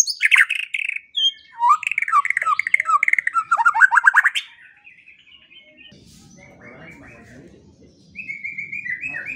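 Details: White-rumped shama singing in a morning and evening training recording for songbirds, bursts of fast varied chirps and whistled notes for four seconds, a pause with low hum, then a repeated high whistled phrase.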